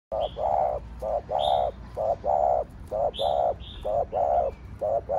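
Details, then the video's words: Spotted dove cooing in the Thổ Đồng voice style, used to stir other doves into calling: a rapid run of short, low, hollow coos, about one per second in uneven pairs, with faint high chirps of other birds behind. "Cu gáy giọng Thổ Đồng Thúc, Gù kích bổi nhanh nổi/ tiếng chim cu gáy giọng thổ đồng gáy, cu đất gáy"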